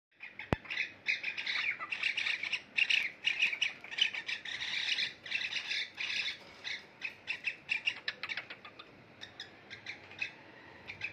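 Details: Two pet cockatiels bathing chatter in a steady run of harsh, scratchy squawks and short chirps, several each second, with a single sharp click near the start.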